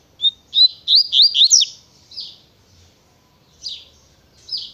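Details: Double-collared seedeater, a fast singer of the natureza and tui tui song styles. It opens with a clear whistled note, then a rapid run of looping, slurred high notes ending in steep downward strokes, followed by a few softer isolated notes.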